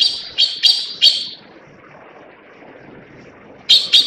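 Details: Harsh rasping calls of Taiwan blue magpie, endemic to Taiwan's forests, with a leucistic white individual also filmed; four quick scratchy notes, over two seconds of quiet, then two more.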